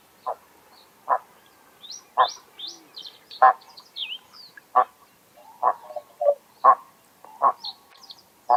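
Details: Greylag goose giving short, nasal honk-like calls about once a second, each a brief burst, with faint high chirps of small birds above and a quiet background between calls.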